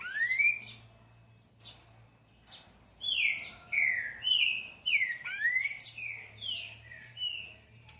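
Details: Green-winged saltator (Saltator similis), song.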